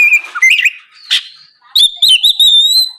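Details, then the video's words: Morning song of an Oriental magpie-robin, played as a lure so rival birds answer; clear whistled phrases that slur and wobble, a brief buzzy burst, then a long sustained high whistle with quick chipping notes layered over it. "PANCINGAN SUARA BURUNG KACER GACOR NGEPLONG PAGI DIJAMIN BIKIN LAWAN LANGSUNG IKUT NYAUT BUNYI GACOR"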